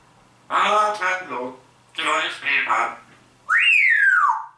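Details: Grey parrot kept as a pet imitating human speech, such as greetings like "Grüß Gott" and "Servus": two short voice-like phrases of several syllables, then a loud whistle rising sharply and gliding down. Indoors, no other sounds.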